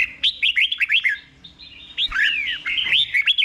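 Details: Red-whiskered bulbul in the slow 'berl' singing style for caged learners: continuous warbled whistles with rising and falling slurs, busier and more run-together than separate phrases.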